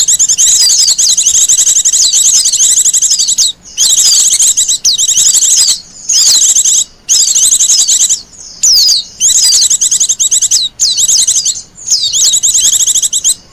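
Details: Wild Japanese white-eye singing, used as a lure and master song: high, rapid twittering bursts of chirps and downward-sweeping whistles, delivered in phrases of one to two seconds separated by short pauses.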